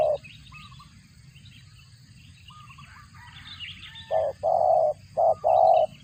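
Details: Spotted dove feeding its young, voice said to resemble a cricket; a brief note, a quiet gap with distant small-bird twitters, then four low buzzy cooing notes in quick pairs.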